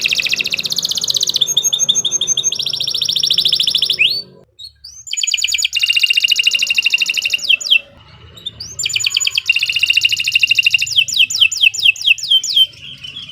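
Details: Long, continuous canary song meant as a master recording: extended buzzy trills alternate with rapid rattles and short descending slurs, broken by two brief pauses, all high-pitched.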